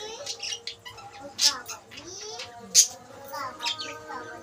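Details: Budgerigars in a breeding colony where pairs are laying eggs: rapid high chirps and short warbled notes, several birds calling over each other, with a man's voice murmuring low in the background.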